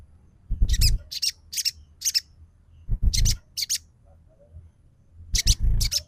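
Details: Sogon trotol, a sunbird, as a lure to provoke singing: groups of three or four sharp high chirps repeated every couple of seconds, each group starting with a low thump.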